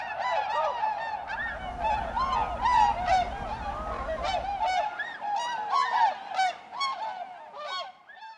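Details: A flock of tundra swans at Goose Pond, Columbia County, south-central Wisconsin, in March 2016 on spring return, calling over one another in a constant chorus of mellow, hooting, bugle-like notes, with a low rumble for the first five seconds.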